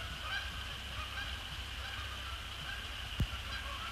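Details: Wild Canada Geese, resident and migratory, flying in after sunset to splash down on Sapsucker Woods Pond, 2 December 2017. A few faint, distant honks over a steady high background hiss.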